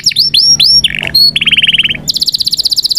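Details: Canary from Indonesia in song used to train young canaries: a few swooping whistled notes, a short low trill, then a fast rolling trill and a high, rapid run of repeated notes to the end.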